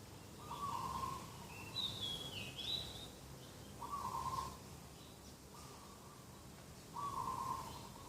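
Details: Dove cooing repeatedly at a garden edge in the morning of 2 October 2021: four trilled coos spread over eight seconds, plus a clear, high whistled phrase from another bird early on.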